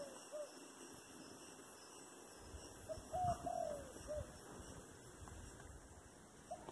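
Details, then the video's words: Dove singing thổ đồng style coos: faint short notes at first, then a full phrase with a quiet lead-in, emphatic hoots, a long downward-sliding coo and a short tail note, followed by a lone distant coo, with low rumble throughout. "chim cu giọng thổ đồng"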